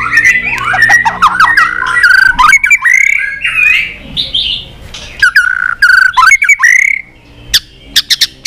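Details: White-rumped shama singing a varied duel song: rolling warbled whistles, looping slurs and clear rising notes broken by sharp clicking chips.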